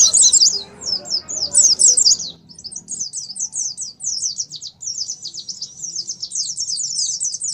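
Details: Oriental white-eye singing in ngalas style, used as a lure to trigger song: continuous rapid, thin high twittering phrases, busy and rhythmic, with low murmuring noise early on that fades away.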